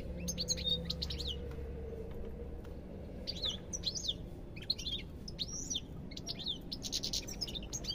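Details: European goldfinch singing in separate twittering bursts of bright chirps and downslurred whistles, with short gaps between phrases and a low steady background drone.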